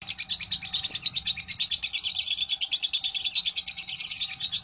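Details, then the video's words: Lovebird ngekek chatter from a fighter bird, meant to trigger lovebirds to sing; a continuous shrill, buzzy trill repeats roughly three pulses a second, even and unbroken for the whole stretch. "Pancing Birahi Tes Latah Fighter Lovebird Ngegek"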